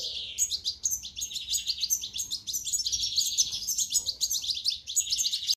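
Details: One-month-old European goldfinches being hand-fed keep up a dense, high, tinkling twitter, several bright chirps a second with no pauses, in a quiet indoor room.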